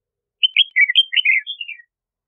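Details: Red-whiskered bulbul singing: a quick phrase of bright, warbled whistled notes jumping between high and slightly lower pitches, lasting about a second and a half, against a silent background.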